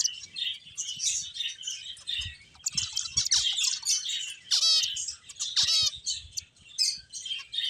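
Finches chirp busily in a dense, overlapping chatter of high, thin notes, with a couple of longer descending whistled trills standing out.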